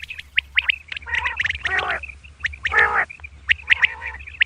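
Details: Female common quail calling at dawn: sharp chirps and short whistled notes mixed with bursts of harsher, layered squawky calls, over a steady low hum.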